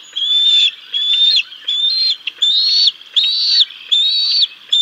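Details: At a bald eagle nest on 6 May 2022, where the adult male feeds the chicks a fish until the female takes over, shrill whistled notes repeat in a regular chain, slightly rising, about six in under five seconds.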